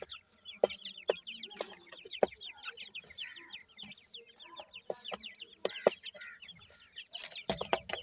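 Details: Dakhni teetar chicks keep up a steady stream of short, descending peeps, many birds calling over one another, punctuated by sharp knocking sounds.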